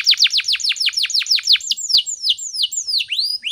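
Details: Morning canary song used for training other birds: quick run of downward-swept chirps, slowing into longer falling whistles and rising upslurred notes.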